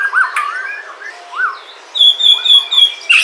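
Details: White-rumped shama from Sumatra singing to prompt other shamas: fluid rising and falling whistles, then a bright series of high, even notes repeated about three times a second.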